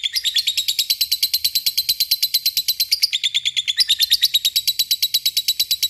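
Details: Lovebird fighter bird in a long ngekek trill: a fast, steady, rattling chatter of sharp high notes, about three per second, running without a break.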